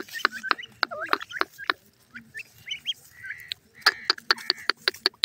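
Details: Grey francolin (teetar) chicks feeding on green grass give short, high, upslurred chirps in scattered runs, mixed with sharp clicking taps throughout.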